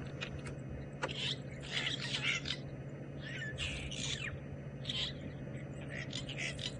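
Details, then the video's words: Starlings gathered at a termite mound where birds were feeding on alates, at Sabi Sand, South Africa, during a sunset drive on April 6, 2018, chatter in scratchy, high chirps in clusters every second or so over a low engine hum. "But the starlings, nonetheless, are there. You can hear them having a little bit of a chirp."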